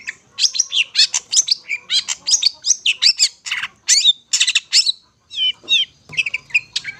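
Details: Long-tailed shrike (cendet) song, used for luring birds: dense, rapid run of harsh chattering and squawky notes mixed with short whistled rising slurs, a brief pause near five seconds, then thinner twittering phrases.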